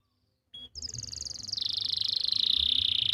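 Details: Canary training song from Pati, Central Java, used to get non-singing or young canaries singing: after a short note, a fast, high trill begins and slides gradually lower while growing louder.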